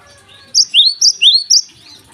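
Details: Java sparrow in full morning song, used as a lure for untrained birds: three bright high chips alternating with two upward-sliding notes in a quick, clean sequence over a quiet background.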